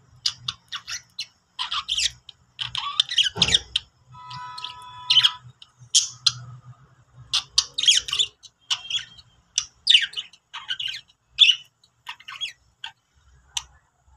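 Budgerigars chattering happily with rapid, scratchy warbles, squeaks and chirps in a busy stream.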